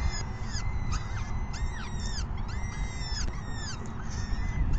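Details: Several peregrine falcon chicks begging during the 6 PM evening feeding on May 14, 2021, giving strained, downward-curving harsh squeals in quick bursts, with a constant deep background rumble.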